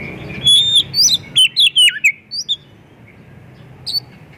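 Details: Oriental magpie-robin singing actively, a song full of mimicked phrases used to lure other magpie-robins into singing: clear whistled notes and quick downslurred phrases in a rapid burst, then a pause and one short whistle.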